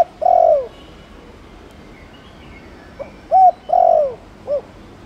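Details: Spotted dove coos in Thổ Đồng style for stirring male doves to answer: the tail of a long falling coo, a pause, then a complete phrase of soft pickup, flat hoot, drawn-out descending coo and short final note.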